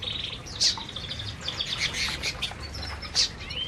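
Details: Feeding canaries in an aviary keep up a steady high twittering, with a sustained thin whistled tone, two loud sharp chips and some fluttering wings.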